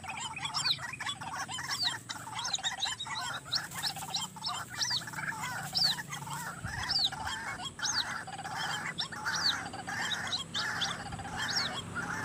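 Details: White-breasted waterhen (ruak-ruak) calling beside a highway, recorded for trapping: dense, rapidly repeated harsh mid-pitched notes in a continuous chorus, overlaid by steady high chirps and a faint low hum.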